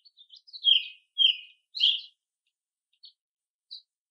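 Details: American robins of different ages foraging and calling among other birds; three loud descending chirped notes about half a second apart, preceded by soft short chips, then two faint distant high notes.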